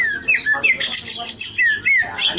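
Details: Caged greater green leafbird singing vigorously: loud clear whistled phrases, each a quick sliding or rising slur, repeated several times in two and a half seconds over faint background hiss.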